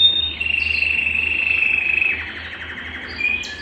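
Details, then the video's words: Belgian canary singing to stir a cold canary into song, a loud sustained buzzy trill held for two seconds, then softer high chirps and a short whistle, with low hum beneath. "Canario Belga Cantando - Canto de Canário Belga para Esquentar Qualquer Canário Frio"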